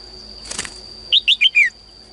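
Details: Female cage bird singing in the morning to call males into singing more: a brief wing flutter, then four quick, bright, down-slurred chirps in a tight run, over a steady high electronic whine.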